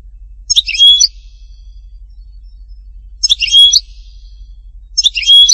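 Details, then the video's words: Goldfinch song from Htatba, Tipaza: short, high twittering phrases with a level whistled note, repeated roughly every two and a half seconds in a quiet setting. "chant chardonneret htatba tipaza حسون حطاطبة"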